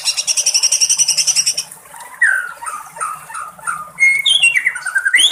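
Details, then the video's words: White-rumped shama singing in the wild: a fast run of pulsed high notes, then loud clear whistled phrases that rise and fall, some sliding down, delivered in quick varied bursts. "SUARA BURUNG MURAI BATU DI ALAM LIAR"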